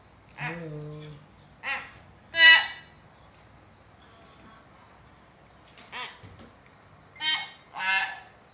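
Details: A hill myna in full voice, used to spur silent mynas, mixes a droning voice-like note with harsh nasal squawks and clipped chatter, delivered in bursts with quiet gaps.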